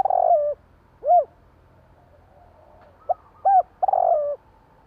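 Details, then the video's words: Javan spotted dove calling at night: low soft cooing phrases, a rolling drawn-out coo, a single short note, then a quick pair of hoots and another long rolled coo. "burung tekukur bunyi malam hari"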